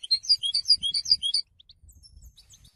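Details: Goldfinch song: a quick, bubbling phrase of high, sweet twitters lasting about one and a half seconds, then two soft notes and faint distant chirps.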